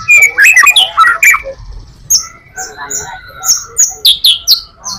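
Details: White-rumped shama in full song meant to lure other shamas, loud rich whistled phrases and sliding notes, then a run of short high chips and sharp rising whistles.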